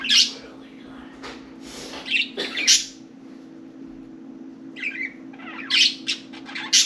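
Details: Caged budgerigars, four birds playing and talking inside and on top of the cage, give sharp scratchy chirps and short warbled notes in loose bursts, separated by brief pauses, over faint hum.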